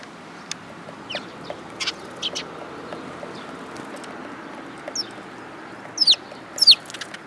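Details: Sparrows arriving for food at a Tenmangu shrine, 3 July 2022: soft, spaced high chirps, then two loud, sharply falling notes near the end.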